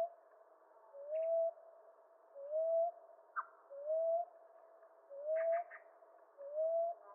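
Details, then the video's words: ['Common ground dove repeating short, mellow rising coos, five in a row at steady intervals of about one and a half seconds, with faint scattered chirps from other birds.'] "Ground Dove Sound"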